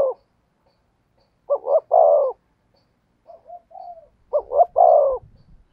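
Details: Spotted dove singing in the "thổ sấm" style. Two phrases of two quick coos followed by a drawn-out, slightly descending croo, with faint soft murmurs between them. Some low rumbling is audible near the end.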